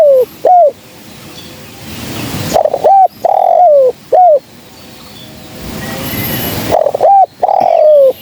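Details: Spotted dove, a female by the Indonesian tags, calling for use as a trapping lure: loud, clean cooing phrases of short hooked notes and a longer downslurred coo, repeated in bursts with brief gaps.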